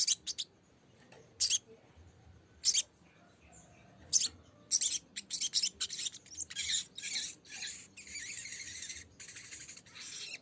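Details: Lesser green leafbird (sogok ontong ijoan) singing as a lure to call a rival and prompt singing: harsh, high, buzzy chattering bursts, sparse at first, then dense and nearly continuous scratchy phrases toward the end.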